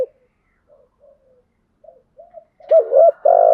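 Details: Spotted dove lure cooing to excite trained doves. Faint low murmured notes lead into a loud phrase near the end: two short hooked notes, then a long steady coo that is cut off.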